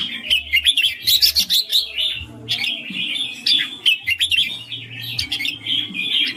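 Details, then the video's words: Red-whiskered bulbul singing clearly in ring style: energetic bursts of bright, tightly spaced chirps and whistles, brief pauses between phrases, accompanied by a faint low drone. "นกกรงหัวจุกร้องริง เสียงชัด เสียงเพราะ"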